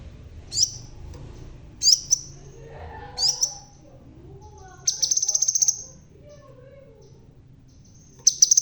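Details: Red-tailed crimson sunbird, bald yet singing vigorously: three sharp, very high thin notes spaced about a second apart, then a rapid stuttering run of high notes, and another burst at the end over a faint low hum.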